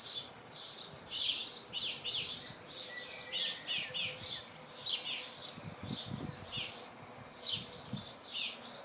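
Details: Two common swifts (Apus apus) looking out of a nest box, 17 June 2025, give shrill, buzzy screams in quick overlapping bursts, several times a second, continuous throughout, over a faint low background hum.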